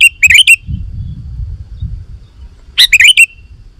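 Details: Sooty-headed bulbul singing vigorously, used to call wild bulbuls to answer: two short bursts of bubbly, warbled notes separated by a pause of about two seconds, with faint low rumble between.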